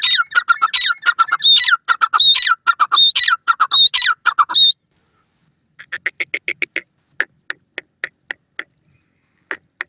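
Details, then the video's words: Partridge (teetar) calling: a fast run of harsh, squawky, ringing notes, about five seconds of rapid repetition, then a pause followed by a series of sharp dry clicks at irregular intervals. "Cute Partridge Calls,awaz bird teetar"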